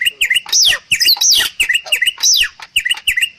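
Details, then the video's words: Bali myna, rare and protected in Bali, in a masteran song recording: loud, varied whistles with sharp rising and falling sweeps mixed with short chattering notes in quick succession. "MERDU KICAU JALAK BALI"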